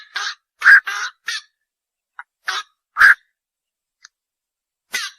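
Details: Night heron, locally named bakchu or ok bird, giving grating, throaty croaks in a small cluster, then a long pause, a couple more loud rasping notes and a final single call; otherwise silent.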